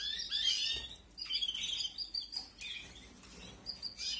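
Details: Canary chicks in an aviary, 2021 breeding season, being fed: high, thin chirps and short rising squeaks come in quick overlapping bursts, with brief pauses between the busier stretches.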